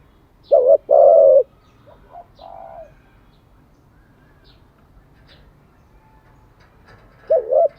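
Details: Spotted dove cooing, used to train decoy and wild-caught birds daily: two loud low coos near the start, then softer faint notes, and another pair of coos at the end after a quiet gap.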